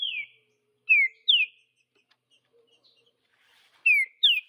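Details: Wild green-winged saltator singing its Vidigal-style phrase in the bush: sharp descending whistled notes in pairs, one phrase near the start and repeated after a quiet gap of about two and a half seconds, faint chirps between.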